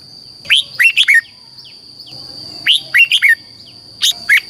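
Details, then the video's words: Caged red-whiskered bulbul from Thailand singing southern-style phrases used to stimulate other caged birds and teach young ones: quick clusters of four or five clear whistled notes, rising then dropping, repeated about every two seconds, with a constant high hum. "เสียงนกกรงหัวจุก สำหรับต่อ หรือ เปิดให้นกคึก"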